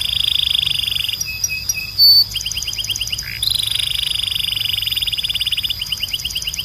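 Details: Belgian canary song for bird training: a buzzy trill, three short whistles, a loud pure steady tone, quick chattering notes, then a long high rolling trill.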